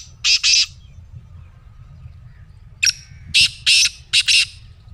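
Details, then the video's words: Harsh, scratchy calls of a black francolin: two rasping notes open, then after a short silence a loud grating phrase of four clipped notes in quick succession. "Black Teetar Voice"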